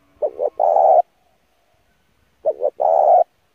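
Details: Spotted dove lure song for training birds, two phrases of a quick paired coo followed by a longer rolling coo, about two seconds apart, clean and loud.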